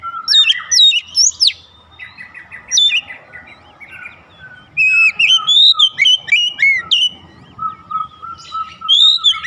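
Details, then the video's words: Oriental magpie-robin (kacer) calling in a rhythmic song: varied whistled phrases, rising and falling slurs, and rapid trilled notes, loud bursts separated by short pauses, with a faint steady tone in the background. "kicauan Kacer memanggil penuh irama"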